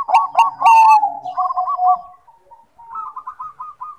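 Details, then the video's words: Perkutut, the Bangkok-type zebra dove, singing: a few loud crackling coos, then a rapid rolling trill of soft notes that fades. A brief gap follows, then a higher, quick bubbling series. "Perkutut Bangkok Gacor, Bagus buat pancingan yang susah bunyi"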